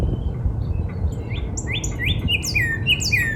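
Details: Northern cardinal in a spring backyard: after a quiet start, a sequence of clear downslurred whistles builds up, mixed with higher sweeping notes from other birds.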